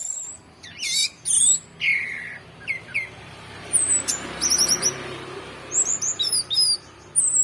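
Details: Orange-headed thrush in song, mixing loud, rich, descending whistles with high, rapid trills and twittered bursts, separated by short pauses.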